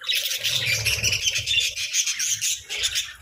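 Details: Companion parakeets keep up a busy, overlapping twitter of high, scratchy chirps and warbles, steady throughout, with a low rumbling murmur underneath for much of the time.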